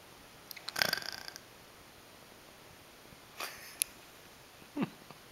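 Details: A male African Grey parrot kept as a pet imitates snoring. A loud, noisy rasp is followed by a softer hiss, a click and a brief falling squeak, in a quiet room.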